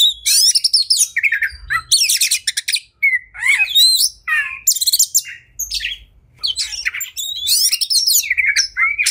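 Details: Agitated oriental magpie-robin (kacer) in fighting song: loud, harsh buzzy rattles alternate with swooping whistles and chirps, with a few brief pauses between energetic bursts.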